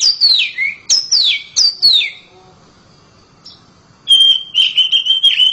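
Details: Oriental magpie-robin kept at home, singing loudly: three bright whistles that slide downward, a quiet gap, then a fast chattering trill of clear notes.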